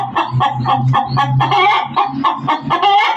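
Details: Loud, rapid hen cackling: strident clucks repeated several per second over a constant low droning hum.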